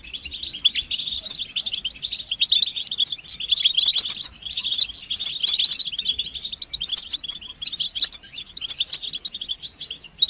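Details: A group of European goldfinches chattering together to spur males into song. Busy, high, liquid twitters run without pause, and several louder surges of jangling trills rise over the steady background chatter.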